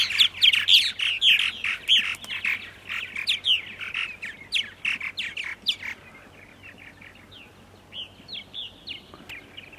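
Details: Purple martins, a large number newly arrived at their nest sites in Center Moriches, Long Island, New York, at 8:30 AM on 14 April 2012, chatter in dense overlapping gurgles and chirps for six seconds, then sparser sharp chirps.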